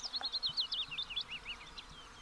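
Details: Pallas's bunting singing a thin, rapid series of high buzzy notes over about two seconds, each note a short descending slur, fading gradually toward the end.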